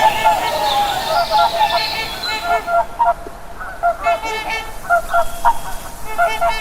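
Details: Swans calling from a flock: a long wavering trumpet at first, then short honking phrases of quick stuttered notes, repeated with brief gaps.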